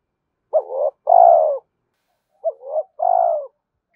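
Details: Two matching coo phrases from a spotted dove, played to make decoy birds call and to train them. Each phrase has a short upswept note, then a sustained mellow coo, with about two seconds between phrases. The background is silent.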